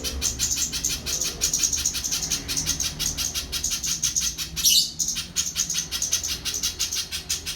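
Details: Little spiderhunter song: a rapid string of high, clipped notes, regularly spaced, briefly broken by a louder rushing burst midway, then resuming the same steady beat.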